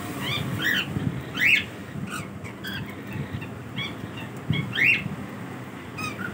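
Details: Daily routine of pet cockatiels: sharp rising squawks in pairs and quick chirps, separated by quieter gaps, over a continuous low rumble of background noise.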